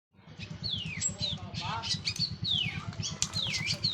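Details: Orange-headed thrush of the local Cililin type, just finished moulting, singing a loud, open song of clear downslurred whistles and quick chirps over a steady low rhythmic rumbling background.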